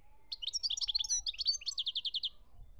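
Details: European goldfinch song, Algeria, 2017: a lively phrase of varied sweet twitters and slurred whistles that closes with about eight evenly spaced, ringing repeated notes. A faint low rumble sits behind it.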